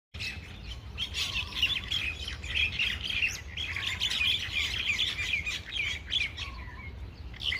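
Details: A gang of common mynas fighting at Ewa Beach keeps up a dense, harsh chatter of squawks and grating notes without pause, over a low rumble of outdoor noise; part of the recording may be slowed down.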